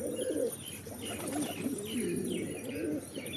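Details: Short, soft pigeon coos bubble along at low pitch beneath a run of quick, high chirps and tweets from small birds.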